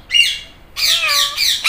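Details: Green Indian ringneck parrot talking, meowing like a cat: a short raspy squawk, then a longer nasal drawn-out note with a tonal undertone, ending in a sharp squawk.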